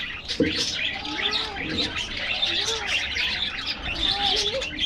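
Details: Budgerigars in an aviary getting a morning diet treat: a dense mass of fast, high chirps and warbling twitters, with lower rounded coo-like notes from other birds underneath.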